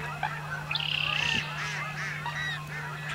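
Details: American coots on an overcrowded marsh, noisy and aggressively territorial; a sharp nasal call, a brief rapid rattling series, then overlapping honking calls, over a steady low hum.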